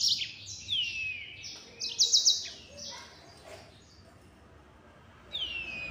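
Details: Yellow-fronted canary, called mozambik, with a 'nembak' style song: a few high trills and falling whistles, a brief loud rattling burst, then a quiet stretch before a last descending note.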